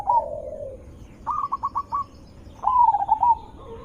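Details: Zebra dove song used as a lure to make other zebra doves answer: a low drawn-out coo, then a quick run of four or five staccato mid-pitched notes, then a rolling trilled phrase ending in soft coos.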